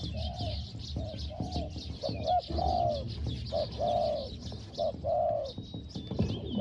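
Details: Decoy spotted dove in Thailand giving soft 'hong hong' coos in quick short-long pairs, with scattered rustles and faint high bird chirps behind.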